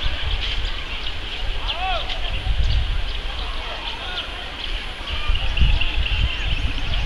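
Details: Plum-headed parakeet from a flock feeding on red coral tree flowers on the Gola river banks, Kathgodam, Uttarakhand; a few brief, upslurred, ringing notes, strongest around two seconds in, over steady low rumble and distant birds.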